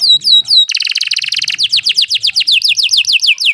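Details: Canary roll for prompting rarely singing canaries: three descending whistles, a fast buzzy rattle, then a long regular series of falling slurred notes, roughly four per second.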